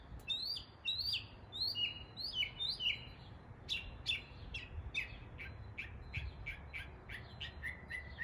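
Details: Northern mockingbird in East Tennessee, singing while imitating the sounds of local birds; rapid run of bright, slurred, downward-sweeping chirps repeated in quick phrases, shifting midway to sharper clipped notes, with a low background rumble.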